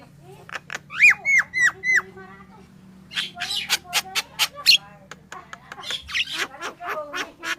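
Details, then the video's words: Yellow-vented Bulbul in lively, chatty song, played as a lure to attract wild birds: a run of clear upslurred whistled notes, then harsh, buzzy bursts repeated rapidly, with a low hum beneath. "suara crucukan gacor banget cocok buat pancingan"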